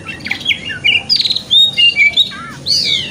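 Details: White-rumped shama, wikplong song for morning tail-opening training: quick sequence of clear whistles, buzzy trills and slurred notes, ending in a loud descending sweep.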